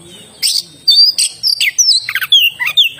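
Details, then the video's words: Vigorous oriental magpie-robin song: clear whistles alternate with harsh, buzzy rasps and quick downward slurs, delivered in a rapid, irregular sequence of about a dozen notes. "suara burung kacer gacor"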